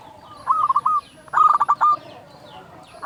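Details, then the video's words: Loud-voiced local zebra dove song used as a lure to get other doves singing: two bursts of quick stuttering coos, each closing on a longer level note, with a faint high steady tone in the background. "Perkutut lokal gacor SUARA BESAR pancingan burung perkutut agar bunyi"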